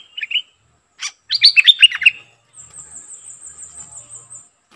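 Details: Streak-eared bulbul kept as a decoy bird: a couple of brief chirps, then a loud, fast burst of bubbling, slurred notes, followed by a steady high-pitched trilling buzz.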